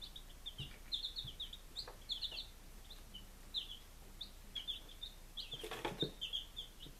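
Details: Baby chickens on their fifth day, kept in Lunenburg, Massachusetts, in July 2017: a flock of chicks peeping in short high chirps, some rising, scattered through the clip, with a few soft clicks and knocks.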